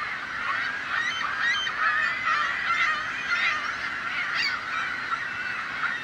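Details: A crowd of seagulls gives a constant babble of short, harsh calls that overlap rapidly, with a few sharper, higher cries breaking through near the middle and end.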